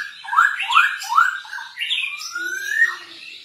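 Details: Masked laughingthrush singing a song used as a lure for other birds: a quick run of loud, upslurred whistles, about three per second, ending in a longer rising whistle, with a faint low hum underneath.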